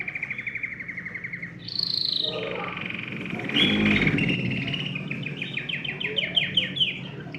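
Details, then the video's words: Canary singing to encourage other birds to sing: a low buzzy trill gives way to a higher whistled phrase, then a fast rolling trill of repeated downward notes, about four per second. "تغريد كناري يحفّز الطيور على التغريد"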